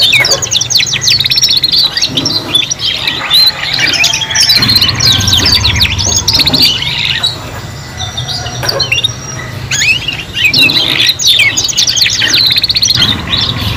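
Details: Three young canaries learning song at the same time: long stretch of overlapping high trills and chattering notes, brief lulls between bursts, and a constant low-pitched hum underneath.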